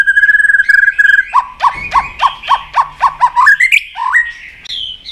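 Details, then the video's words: Fighting song of a white-rumped shama, tail flicking to provoke a rival: rapid even trill, then about nine lower dipping notes at a regular beat, ending in rising whistles. "chòe Lửa đập đuôi tạch kích căng, kích Chòe Lửa hót đấu căng lửa.chòe Lửa hót giọng dài"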